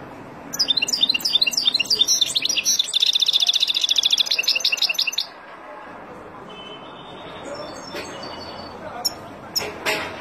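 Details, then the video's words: Wild European goldfinch song used to teach young birds: a few twittered notes lead into a long, fast, buzzy trill for several seconds, followed by softer scattered notes and faint clicks. "اروع تغريد طائر الحسون البري لتعليم فراخ"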